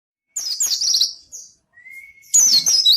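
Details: White-eye (pleci) in full, vigorous song, used as a lure and training master for white-eyes slow to sing: bursts of high, rapid twittering trills, a gap, then one long steady lower whistle before the shrill chatter resumes.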